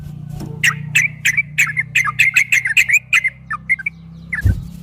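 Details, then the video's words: Quick ropel run from a yellow-vented bulbul in a recording made to coax caged bulbuls into song. A string of chirpy, slurred notes speeds up and then thins out over a steady low hum, ending in a dull knock. "Suara burung trucukan MASTERAN TRUCUK ROPEL 2023 TERBARU ‼️PASTI GACOR, TRUCUKAN ROPEL PANJANG"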